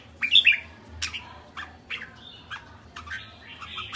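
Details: Quieter kekek call of a red-whiskered bulbul: one bright chirping burst at the start, followed by spaced, softer harsh notes over a steady background hiss.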